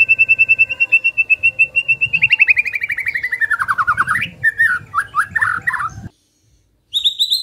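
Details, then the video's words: White-rumped shama song used as a lure to trigger singing: a fast, even run of repeated high notes, then sliding, falling whistles and varied phrases, a brief pause, and a final ringing burst. "Mendengar Pancingan Ini, Murai Pasti Langsung ON"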